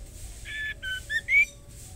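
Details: Calling female white-rumped shama (murai batu) addressing the male. A buzzy note and a low flat whistle lead into two rising whistles, the final one strongest and highest.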